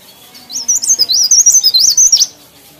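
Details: Leaf warbler singing actively: a fast, high-pitched warbling phrase of about a dozen sharp, thin notes, each rising then dropping, delivered evenly over roughly one and a half seconds against a quiet background.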